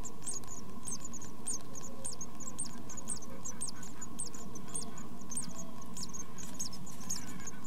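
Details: Tit chicks in a nest box during their first two weeks of life: thin, very high cheeps given in rapid bursts several times a second, over a constant low hum.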